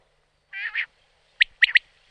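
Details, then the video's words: Wild common quail (Coturnix coturnix) giving a soft, nasal double growl, then the sharp, liquid three-note 'wet-my-lips' call, the last two notes close together. "Canto e verso Quaglia - Richiamo"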